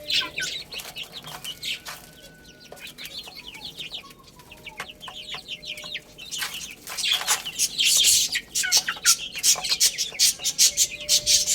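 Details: Chicken chicks playing and eating: high downslurred peeps, sparser and softer midway, then a loud run of rapid clicking pecks and scratching over the last few seconds.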